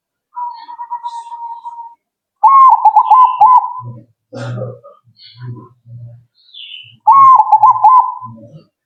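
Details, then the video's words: Zebra dove singing, played so other zebra doves reply at once. A softer level cooing run is followed by two loud bubbling coo phrases with a rising start. Low thumping knocks fall between them, and faint high chirps are heard. "Burung Perkutut Kalian Langsung Nyaut..!!!"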